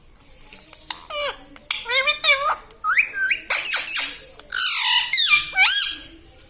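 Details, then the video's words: Pet parrot talking indoors, taught words such as mummy, papa and radhe radhe; a busy stream of shrill squawks and squeaky, swooping voiced syllables in fast succession with short pauses, a few clicks between. "Parrot talking mithu mithu || mai bolunga || मम्मी पापा बोलता तोता"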